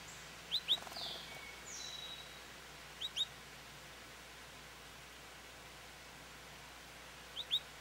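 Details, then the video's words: American goldfinch perched at a feeder, calling for attention: short, high chirps given in pairs near 0.5, 3 and 7.5 seconds, with a softer slurred whistle from another bird early on and steady background hiss. "American Goldfinch Song"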